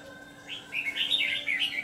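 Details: Red-whiskered bulbul decoy for trapping, white-cheeked ché singer; a short, loud burst of rich, rolling warbled notes building over under two seconds.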